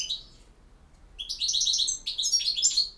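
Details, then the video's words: Campero-style European goldfinch song: a brief twitter, a pause, then a fast cascade of liquid, chirping high notes that grows busier toward the end. "El Jilguero BiH 21"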